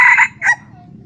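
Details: Red junglefowl crowing, recorded 28 June 2020: a short, loud, harsh two-part crow with a rough first burst and a shorter second note, then fading, with low background rumble.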